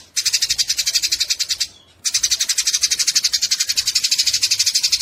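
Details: Harsh cerecetan chatter of Eurasian tree sparrows in a fight, used to tutor cage songbirds: fast scratchy notes run continuously, drop out for a moment after one and a half seconds, then restart strongly.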